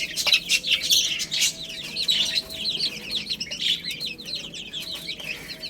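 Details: Little chicks feeding on spinach, their thin high chirps tumbling over one another in a steady, dense stream, broken by occasional loud pecking taps.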